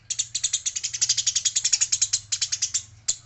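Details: Female Eurasian tree sparrow, described as fighting, pouring out a near-continuous rattling stream of harsh high chirps, about seven per second, ending in a brief pause and one last note; faint low hum.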